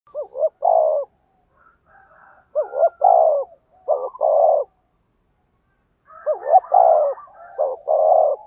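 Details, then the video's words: Spotted dove decoy calling in the fast rustic 'thúc gù' style: repeated phrases of two short rising notes followed by a longer, falling, throaty coo, with quiet gaps between, and faint softer cooing in the background. "tiếng cu gáy mồi chuẩn, cu gáy thúc gù giọng thổ tốc độ"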